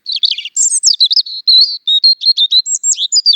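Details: European robin singing: a rapid, varied run of high thin warbles, trills and sweet whistled notes jumping between pitches, delivered without pause for over three seconds in a clean recording.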